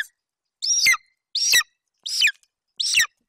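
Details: Juvenile male golden eagle guarding a freshly delivered Eurasian hare at the nest, Bucovina, 27 July 2021. Four harsh, squealing calls that fall in pitch, roughly 0.7 seconds apart, with silence in between.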